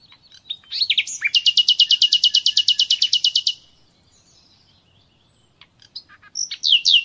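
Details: Common nightingale song recorded as an uninterrupted song lesson for conditioning captive birds: upslurred whistles lead into a loud, rapid series of about twenty even pulsed notes, then a pause and fresh rising whistles.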